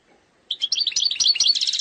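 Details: Algerian European goldfinch singing in the eastern-sector style, described as error-free: after half a second of quiet, a rapid, bright twittering burst of high chirps and short trills begins and continues to the end.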